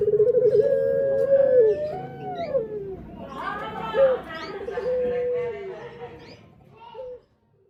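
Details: Male puter pelung dove giving trilled coos that stretch into long wavering held notes, phrases overlapping with other higher cooing voices, against a low background drone.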